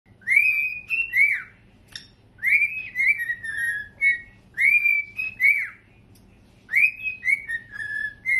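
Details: Cockatiels whistle the Earth, Wind & Fire tune in clear, bright phrases of rising and falling notes.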